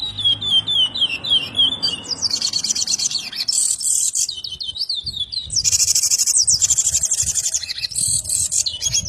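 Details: Chestnut-bellied seed finch from Brazil, a strongly repeating singer: a long flowing warble of sliding whistled notes, rising into dense buzzy high trills, steady background rumble.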